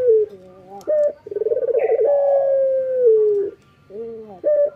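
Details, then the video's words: Male Barbary dove, local type, singing busily in the morning. A low soft note and a short sharp note lead into a fast vibrating coo, which stretches into a long, gently descending tone before the pattern restarts. "SUARA BURUNG PUTER LOKAL JANTAN GACOR PAGI HARI MENYAMBUT REZEKI"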